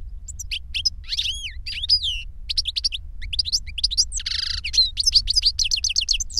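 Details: An older goldfinch sings to a younger bird: a continuous, lively twittering with looping slurred notes, quick chirp runs and one harsh buzzy note near the end, a soft hum beneath.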